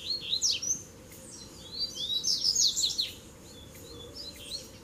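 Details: Three Double-collared seedeaters meeting at once in a fighting duel; a lively run of high, sharp whistled notes and slurred chirps, strongest around the middle, then fading to softer scattered notes over low steady hum.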